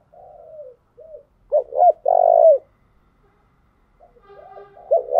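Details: Spotted dove cooing, used as a lure to stimulate and train decoy birds: soft falling coo notes, then a louder double-hooked phrase and a long sustained coo, with a fresh phrase starting at the end. The background is quiet.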